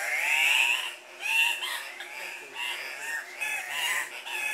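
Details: Andean cock-of-the-rock males gathered at a lek, competing for breeding females while bobbing and hopping: loud nasal squawks overlapping in a busy chorus, several calls rising and falling in about a second each, with brief lulls between bursts.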